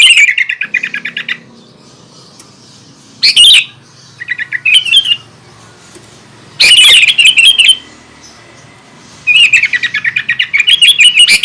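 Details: Sooty-headed bulbul in vigorous song meant to stir up other bulbuls, giving separate quick bursts of squeaky, chattering notes with quiet gaps between them.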